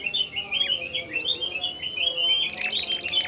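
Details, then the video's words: Bimoli bird, a shy and rare species, in a lure recording: a rapid string of bouncy slurred whistles, ending in a louder burst of high, scratchy chattering. "burung bimoli DIJAMIN NGAMUK dan GACOR dengan pancingan bimoli ini"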